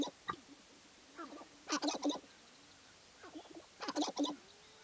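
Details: Male Sharp-tailed Grouse at a spring lek in the Namekagon Barrens, Wisconsin, displaying for hens: short low clucking notes with sharp broadband rattling bursts in two clusters, faint arched calls between.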